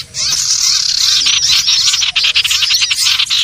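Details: Common iora lure call for trapping birds: a rapid stream of high chirps and arched whistled notes, with a brief drop near the start and short gaps later, busy and unbroken.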